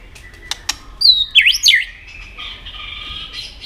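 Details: White-rumped shama in a singing contest: a few clicks, then three loud looping swoops that dip and rise steeply, followed by softer, steady high warbling to the end.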